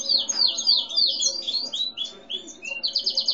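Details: Domestic canary, gray-and-white without defined breed, delivers fast warbling phrases of slurred high notes, a brief lull, then a closing burst of quick repeated trill notes.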